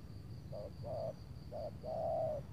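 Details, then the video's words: Spotted dove cooing in Tangerang on an overcast late afternoon before rain, during a trapping session with a decoy bird. Four low hollow coos run short, long, short, long, over a steady high insect whine. "memikat tekukur tapau sibongsor suara besar"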